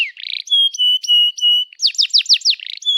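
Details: Canary song used as a prompt for other canaries: a short buzzy trill, then steady pure whistled notes held about a third of a second each, followed by a run of quick falling chirps and a final whistle.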